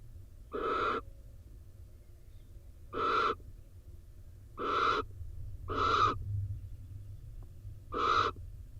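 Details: Barn owls at a nest box in Israel on a rainy day, the male returning soaked from his daytime roost to join the incubating female; five harsh, hissing screeches about half a second each, spaced irregularly, over low rumbling rain noise.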